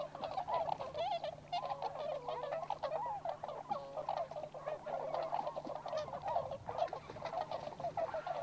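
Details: Flock of wild Tundra swans, including American-race birds, gathered at a site in Inzai, Chiba Prefecture, Japan; softer, slightly distant mass of honking and crooning calls, overlapping and uneven, with brief louder bursts.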